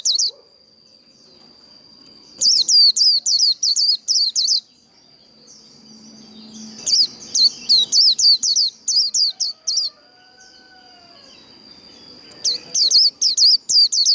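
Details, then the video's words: Fighting song of a Japanese white-eye, the líu đấu style. Repeated bursts of high-pitched, downslurred chirps come roughly three to four per second with quiet gaps between, and a constant thin whine underneath. "Vành khuyên líu đấu. Kích lửa vành khuyên líu đấu"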